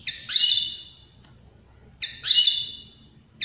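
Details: European greenfinch giving two harsh, buzzy wheezes about two seconds apart, each rising sharply then fading. The recording is played to stimulate other birds to sing and mate. The background is quiet.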